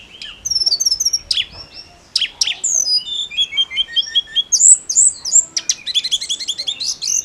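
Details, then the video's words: Snowy-browed flycatcher song, used to rouse other songbirds: high scattered chips and slurs building into dense fast buzzy trills and rattling phrases toward the end. "KICAU TLEDEKAN GUNUNG GACOR"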